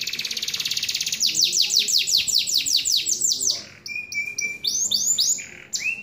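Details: Canary song with a dense rolling trill giving way to a run of loud downslurred whistles, then a flat sustained tone and scattered upswept notes, with faint background chatter.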